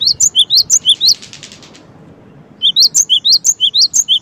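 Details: Sharp, high alternating chips of a cinereous tit (gelatik batu), broken by a soft buzzy flutter and a pause, then resuming in a fast regular series of paired notes.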